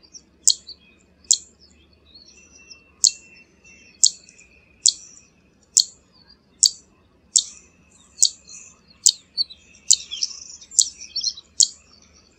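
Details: Zitting cisticola repeating a high, dry 'zit' click about fifteen times at roughly 0.8-second intervals. Soft high twitters run between the notes and become denser after ten seconds.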